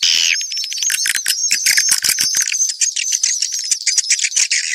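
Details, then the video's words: Mixed swiftlets utter thin, rising and falling whistled chirps over a rattle of quick, sharp clicks. The calling is continuous and densely layered. "Sp burung walet campuran"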